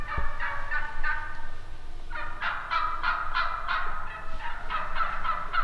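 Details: Wild turkey yelping: a few spaced raspy notes, then a quicker run of about ten yelps, ending with a few more.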